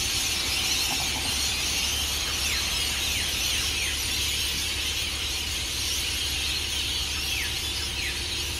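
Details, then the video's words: Hundreds of rainbow lorikeets at Burleigh Heads Beach, Gold Coast, Queensland, Australia, leaving their roosts in tall Norfolk pines before sunrise: a dense wall of shrill screeching with sharp descending shrieks rising out of the din, over a low steady hum. "The noise of Hundreds of Rainbow Lorikeets"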